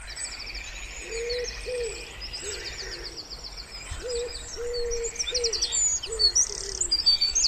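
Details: Wood pigeon by a quiet pond in spring, giving a run of soft, low hooting coos, each short and level then dipping, while high thin chirps and rapid trills from small birds fill the background.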